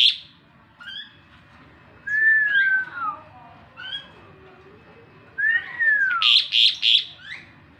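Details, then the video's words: Asian pied starling in the morning, giving scattered short whistles, then a clear downslurred whistle, a pause, another falling whistle and a rapid burst of harsh, chattering notes. "Suara Jalak Suren || Sapaan di pagi hari"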